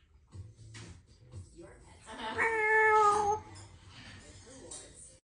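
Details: Symon, a 2-year-old female Congo African grey parrot living with cats, imitates a cat: one long, drawn-out meow lasting about a second with a rich harmonic tone; faint speech and room sounds before and after.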